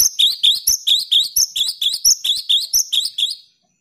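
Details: Cinereous tit in full, vigorous song, played to stimulate silent caged tits to sing: a fast run of about fourteen high, sharp two-part chirps, evenly repeated for three and a half seconds before stopping, with no other sounds.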